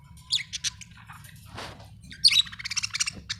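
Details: Happy budgerigar chirping: bursts of bright, buzzy, high chirps, a short pause with a soft rasping sound, then a fast run of rapid chattering tweets toward the end.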